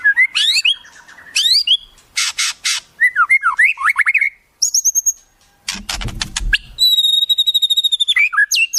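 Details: White-rumped shama song with wild-bird phrases: trilled whistles, harsh buzzy bursts, slurred notes, a brief fluttering sound, then a long steady high whistle ending in chips.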